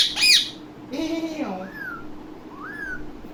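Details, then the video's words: Indian ringneck parakeet, a talking parrot said to copy everything: a sharp high squawk, then low speech-like babbling, followed by two separate rising-and-falling whistles with a steady hum behind. "Ringneck Talking parrot"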